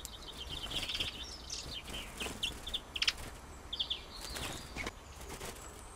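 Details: European greenfinches arguing while landing: quick runs of short, bright chirped notes and twitters, a few harsher buzzy bursts, wing flutters between, over a steady noisy background.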